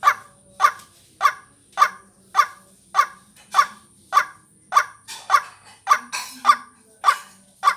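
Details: Repetitive lure call of a white-breasted waterhen for trapping and vocal training: thirteen short, rough notes in steady succession about 0.6 seconds apart, with a soft hum and brief hiss near the end.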